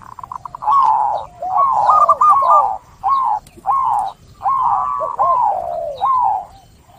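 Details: Zebra dove song: a run of short cooing phrases, each a quick rising-falling tonal note with brief trills, repeated about every half second to a second in bursts, over faint background hiss.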